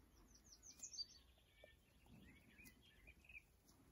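A willow warbler's soft, sweet phrase cascades down the scale over about three seconds, high notes slipping lower and ending in a gentle flourish, over a faint background hiss.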